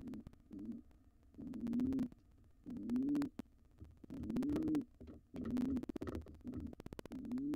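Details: Wild pigeons, an intruding pair trying to take over a nest box after the resident nestling fledged: deep coos rising and falling in pitch, about one every one to two seconds, among tapping clicks.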